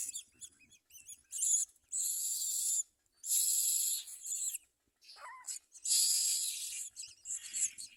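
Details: Common myna at work feeding its young: long rasping, hissing bursts of about a second each, separated by short silences, plus one lower, falling, squeaky note near the middle.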